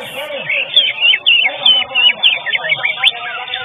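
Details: Common green magpie singing in a bird singing competition, a rapid string of sharp downslurred and rising whistled notes, repeated several times a second, with voices and crowd noise underneath.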